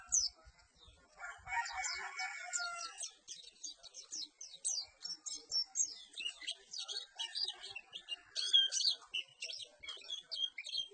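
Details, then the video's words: Perci bird singing a busy, high-pitched chattering song of rapid twittering notes, with a short sustained whistled phrase near the start. "Suara Burung Perci"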